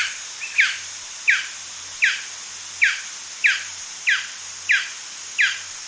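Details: Male Golden Dove calling in a yapping series: eight clipped, descending yaps spaced a little over half a second apart, with a persistent high whine in the background.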